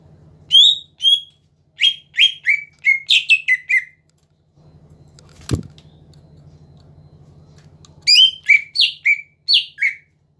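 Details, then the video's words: A greater green leafbird sings to bait rival birds into answering: a run of sharp, falling whistles and chirps, a quiet stretch broken by one sharp click, then another lively burst of downslurred notes over a soft hum. "BURUNG CUCAK IJO GACOR PINTAR MEMANCING LAWAN AGAR BUNYI"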